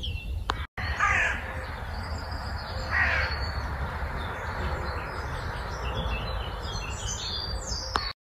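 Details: Crow in Meopham on an early spring morning, 4 April 2021, giving two short, harsh caws about two seconds apart, then constant low background rumble with faint distant bird chirps.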